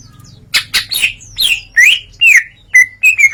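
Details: Greater green leafbird in full, open song, delivering its learned repertoire: loud, varied chirps and slurred whistles, some rising and some falling, at about two per second, ending in steady, bright whistled notes.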